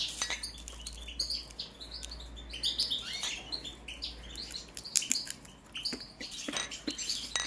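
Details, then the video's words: Balkan goldfinch, subspecies balcanica, singing scattered high chirps and short tinkling phrases, mixed with frequent sharp clicks and taps and a low hum. "Kontrola pesme, štiglić, češljugar, grdelin n, carduelis balcanica"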